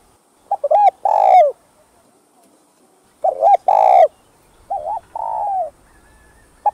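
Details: Spotted dove song for luring wild doves: two loud phrases of stuttered hoots ending in a long coo, then a softer, smoother phrase with a gently falling final note, in a quiet setting.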